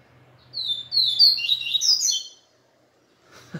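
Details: Seedeater known as papa-capim, excited after one day with a female, delivers a quick high-pitched warbling phrase of slurred chirps, then a pause and a faint low knock.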